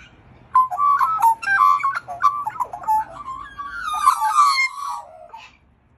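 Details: Female Australian magpie (Gymnorhina tibicen) singing a rich, fluting warble of quick varied phrases, shifting pitch and ending in a higher gurgling run; faint background hum.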